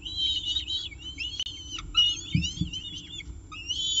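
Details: Peregrine falcon at its nest with breakfast at CSU Orange on 19 October 2018: continuous high, thin whistled chirps and rising slurs, busy and overlapping, plus a couple of dull knocks near the middle.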